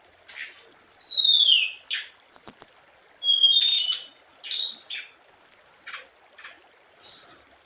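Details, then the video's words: Scarlet minivet lure song: a long descending slurred whistle, then clear high whistled notes and short buzzy bursts in phrases separated by brief pauses. The background is quiet. "Tiếng chim hồng hạnh mồi chuẩn"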